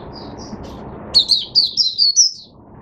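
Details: A captive Oriental white-eye (Zosterops palpebrosus) beginning to sing on 5 May 2022 gives a quick run of high, thin, sweet twittering notes, about six slurred phrases in under two seconds, over a low hum; Oriental white-eye.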